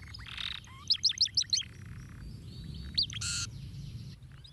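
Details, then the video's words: Singing canary, played to encourage canaries to sing: five loud, quick, high whistled notes in a tight row, then a single sharp note and a brief harsh buzz, set over faint background hiss. "estimula rapidamente o som de um canário tocando"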